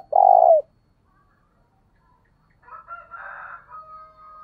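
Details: Spotted dove 'thúc bổi' call used to urge on a decoy. A single loud, rolling coo opens the clip. After a pause, softer chattering and a long thin whistle from another bird follow.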